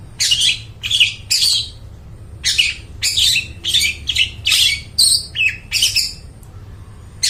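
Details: Long-tailed shrike in loud song for training mute shrikes: rough, buzzy bursts mixed with brief clear whistled notes, delivered in an uneven, energetic stream.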